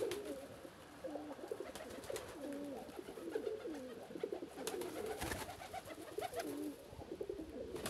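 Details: Homing pigeons cooing happily as they are let out, a white pigeon among them; soft, low rolling coos repeat in overlapping bursts with occasional wing flaps and clatter in the background.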